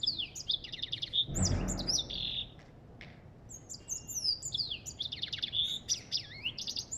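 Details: African goldfinch singing a fast, high twittering song of buzzy trills and sliding whistled notes, briefly interrupted by a low broadband thump near the start.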